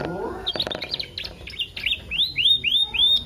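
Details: Canary lure song meant to stimulate canaries to sing: a few scratchy chips after a brief low murmur, then a string of clear rising whistles repeated roughly every third of a second.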